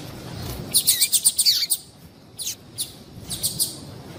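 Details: Female yellow-bellied seedeater, a calling female used to stimulate males to sing. A quick run of about eight high, thin chirps, then scattered single sharp notes after a brief pause.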